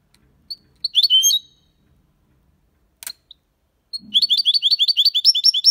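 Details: Málaga copy goldfinch song for young birds to learn: a few scattered high notes and a brief jangling burst, a short click, then a fast, regular series of repeated high chirps.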